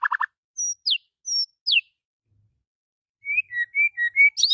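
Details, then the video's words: White-rumped shama singing in the morning, described as worked up and in full voice: a quick trill of low notes, then separate clear whistles swooping downward, a pause, and a run of short varied chirping whistles rising at the end. "SUARA MURAI BATU KICAU MANIA PAGI NAIK EMOSI OVER GACOR"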